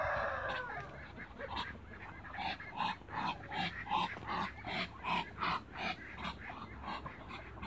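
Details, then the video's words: Waterbirds meeting, two males with one female: an opening falling honk gives way to rhythmic short nasal calls, about three per second, that swell and fade. "MEETING TWO MALE ONE FEMALE AFTER THE CREATE WATERBIRDS"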